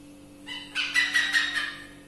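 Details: Wild pied hornbill, known in Malay as burung enggang or enggang tangling, visiting a backyard garden and watched through a dark window; a harsh, cackling burst of rapid, stacked notes lasting about a second, with a low steady hum behind.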